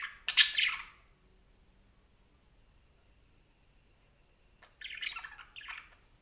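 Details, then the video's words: A parakeet chatters in two bursts of bright, scratchy chirps and squawks, with a quiet pause between them. "Som de periquito conversando"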